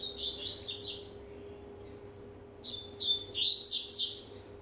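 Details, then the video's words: Warming-up rusty-collared seedeater aged a year and a half: a dense whistled phrase with bright upward sweeps, silence, then rapid repeated whistles rising into a high burst, low hum beneath. "COLEIRO PROMETHEUS, 1 ANO E MEIO DE VIDA, ESQUENTANDO"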